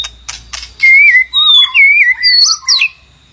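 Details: White-rumped shama singing to call a mate: a few sharp clicks, then long sweet wavering whistles in linked phrases, ending with a high rising sweep.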